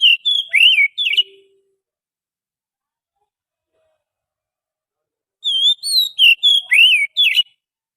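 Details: Forest Oriental magpie-robin song used to lure birds: a few twisting whistles end a phrase, a long quiet gap follows, then a fresh string of six clear, varied whistled notes with sweeping slides.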